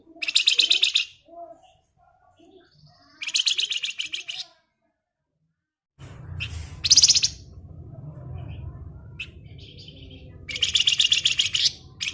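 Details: Flamboyan in active ngebren song, several bursts of fast, dense, high rattling chatter about a second long with gaps between, plus a low rumbling background in the second half.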